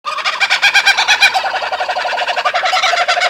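Laughing kookaburra in full chorus: a loud, rapid run of harsh, chuckling hoots, several notes a second, rolling on without pause.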